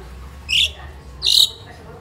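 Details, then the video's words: Two short, harsh, hissing squawks about three-quarters of a second apart from a crested myna kept as a pet in a Philippine home, a bird noted for mimicry. "CRESTED MYNA BIRD|| CHIRPING SOUND|| MIMIC BIRD"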